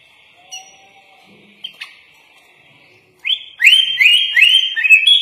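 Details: After a near-silent start with faint thin tones, a sooty-headed bulbul (kutilang) bursts into a loud 'isian' master song of repeated bright rising whistled notes, about four in two seconds.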